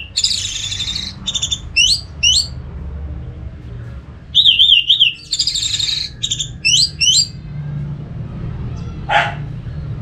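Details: Varied orange-headed thrush song used as therapy to get any thrush singing: buzzy high bursts, sharp upward flicks, and a rapidly trilled wavering whistle, ending with one short harsh note after a pause.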